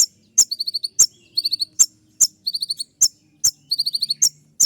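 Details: Olive-backed sunbird (kolibri ninja) in full song with shooting-style bursts: sharp high clicks alternating with quick runs of four to five thin, piercing chirps, repeating about every second over a faint low hum.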